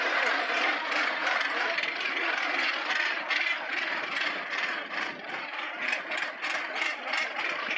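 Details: Northern gannets at the Bonaventure Island colony off Percé, Gaspésie, in 2012, North America's largest gannet colony: a dense, unbroken din of harsh, grating calls, many birds overlapping in a raucous rattling roar.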